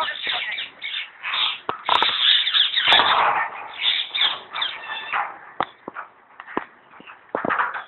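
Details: A captive common hill myna at Alipore Zoo, Kolkata, West Bengal, India, talks in a rapid, harsh run of raspy, speech-like phrases and squeals, with sharp clicks scattered through.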